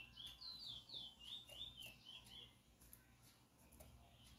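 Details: Chestnut-bellied seed finch, singing and seen close up: a quick run of sweet warbled notes that swing up and down, lasting about two and a half seconds before fading to a quiet background hum.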